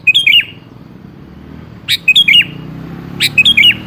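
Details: Lure song of a sooty-headed bulbul, meant to draw a reply from a quiet bird: three brisk, gurgling phrases of a few slurred notes, about 1.5 seconds apart, over a low background hum.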